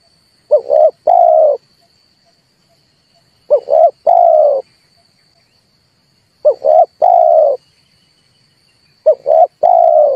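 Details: A dove used to lure birds into a trap, repeating the same phrase four times about every three seconds: two quick short notes then a longer descending coo, in clean quiet surroundings.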